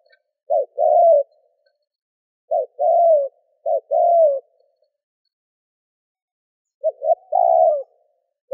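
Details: Spotted dove calling to provoke wild birds, low hoarse phrases of a short note and a longer falling coo, given in an uneven series with a long silent gap before the last phrases.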